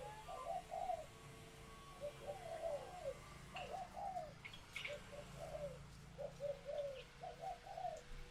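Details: Laying female spotted doves calling to excite males into cooing for mating; a faint, steady series of paired, slurred coos repeats about every second over a low hum and hiss.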